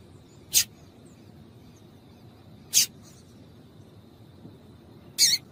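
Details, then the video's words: Sparse calls from a female double-collared seedeater, used to get males to sing: three isolated, sharp, very high chips spaced about two seconds apart against faint background hiss. "Piado de Fêmea de Coleiro para Esquentar Coleiro"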